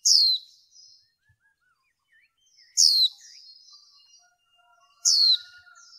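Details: A female white-eye, used for training to stimulate males, repeats a thin, high note that drops quickly in pitch, three times at about two-and-a-half-second intervals, with soft twittering after each.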